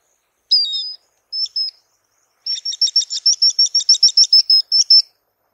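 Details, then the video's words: Swallow-winged Puffbird (Chelidoptera tenebrosa) giving two brief high whistled phrases, then a fast run of about fifteen sharp, high chips, all thin and clear with no other sounds. "SOM DE URUBUZINHO (Chelidoptera tenebrosa) Swallow-winged Puffbird"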